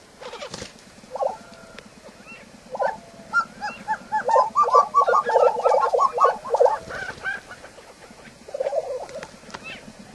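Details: Lesser prairie-chicken, an imperiled grassland bird of shinnery oak and sandsage country in the southwestern United States, giving rapid bursts of mid-pitched bubbling, clucking notes that swell into a dense overlapping chorus before fading, then a short final burst.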